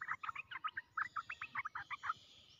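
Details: Caged red-whiskered bulbul used as a trapping decoy, displaying but not coming down, set on the ground; a quick run of about a dozen chattering, bubbling notes over roughly two seconds, then quiet with faint background hum.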